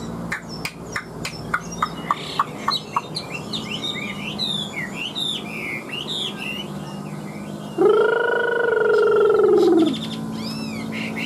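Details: Large, newly moulted Chinese hwamei in a cage. A burst of crisp clicks gives way to fast, varied warbling phrases, high and tumbling, interrupted near the end by a loud steady droning tone lasting about two seconds.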